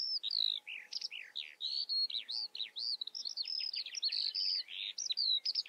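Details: Eurasian skylark song, a dense unbroken torrent of high chirps, slurs and warbled notes tumbling rapidly over one another.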